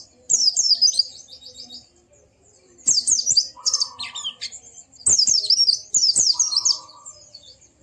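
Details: Singing white-eye, played to set off a quiet bird: bright, high twittering phrases in pairs, each of rapid falling notes, with a lower buzzy tone beneath some phrases.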